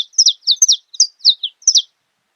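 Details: Saffron finch (Sicalis flaveola) sings a quick string of high, slurred chirps, about six short phrases in under two seconds, each dropping slightly in pitch, against a clean, silent background.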